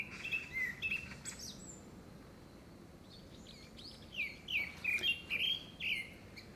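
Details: Courtship song of a grey-backed thrush, apparently for a second breeding: two whistled notes, a pause, then a rapid string of bright, slurred whistles rising and falling, with faint higher chirps behind.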